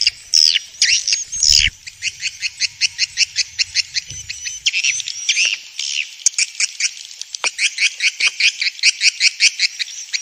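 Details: Swiftlets from Vietnam, a lure for swiftlet houses: after a few harsh squeaks, an even series of short buzzy chips repeats about two to three times a second, with a thin whistled tone in places.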